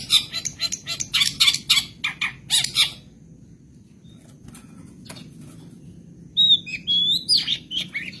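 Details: Long-tailed shrike of the Madura cendet type, kept as a songbird, with rapid harsh rasping bursts for three seconds, near silence with scattered clicks, then sharp high whistles and chatter, from a full 'isian sekebon' song.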